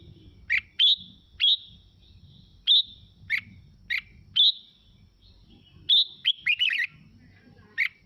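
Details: Red-whiskered bulbul singing, used to spur other birds into singing along and getting excited: short, sharp whistled phrases, each a quick down-up slur, repeated roughly every half to one second, ending in a rapid chattering cluster; faint low rumble behind.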